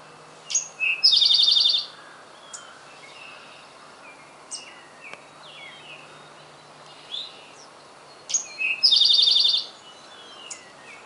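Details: Male Eastern Towhee in Centerville, Massachusetts, on a spring morning, May 7, 2012, sings a bright 'drink-your-tea': two clear introductory notes and a fast, high trill, given twice about eight seconds apart, while other birds chip faintly between.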